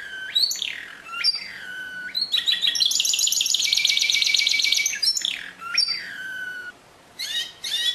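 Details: Canary in full song: sweeping falling whistles, then a dense buzzy rapid trill lasting over two seconds, more descending slurred notes, and a final burst of quick chirps.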